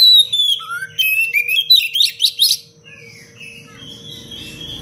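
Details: Oriental magpie-robin singing a dense, fast, varied song for use as a training recording for other birds: rapid sweeping whistles and sharp chirps in a tight burst, then quieter thin whistles over a steady low hum.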